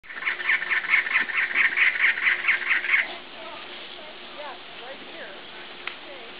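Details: A male cactus wren at the Arizona-Sonora Desert Museum sings right after rains ended on 2/6/10: a harsh, grating run of about a dozen rapid chugging notes over three seconds, then faint chirps from other birds and a steady low hum.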